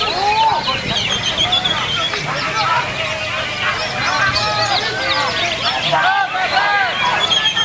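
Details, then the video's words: Continuous rich warbling from a greater green leafbird: quick arched whistles, slurred chirps and trills packed tightly together, loud and unbroken for several seconds. "Cucak Hijau"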